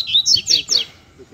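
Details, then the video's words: Double-collared seedeater singing in competition with a loose male: three loud, quick downslurred whistled notes in under a second, with a brief spoken word underneath. "Coleiros Altas Horas e Braddock Cantando e Disputando Com o Coleiro Solto!!!"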